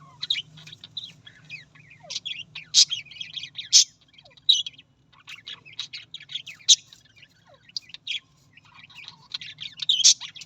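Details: Australian parrot in an extended bout of chattering warble: high twitters, scratchy buzzes and clicks with repeated loud, sharp squeaks and short pauses between phrases.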